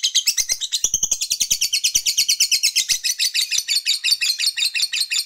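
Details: Long ngekek chattering of a fighter lovebird, meant to stir rival males: a dense, high, buzzy rattle of quick repeated notes that carries unbroken for over five seconds.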